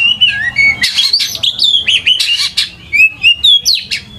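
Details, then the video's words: Oriental magpie-robin sings a rich, fast, varied run of clear whistles, slurred notes and sharp chirps, mostly high-pitched, with no other sounds, used as a lure song to teach young magpie-robins. "PANCINGAN KACER GACOR COCOK UNTUK PANCINGAN KACER MUDA UNTUK BELAJAR BUNYI DAN CEPAT IKUT GACOR"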